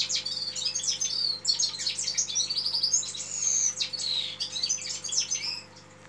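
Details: Red-fronted serin giving a lively, unbroken stream of high twittering song: chattering notes mixed with thin whistled slides and short buzzy trills. It fades slightly at the end over a steady faint hum.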